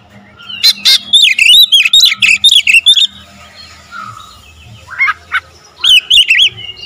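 An Oriental magpie-robin gives loud, high, tightly packed bursts of whistled and sweeping notes in quick volleys, separated by brief pauses. A faint low hum runs underneath.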